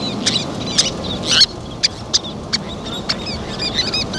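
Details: Least terns with chicks at feeding time: rapid sharp high chips and squeaky chirps, some in quick clusters, punctuate the clip over a low background rumble.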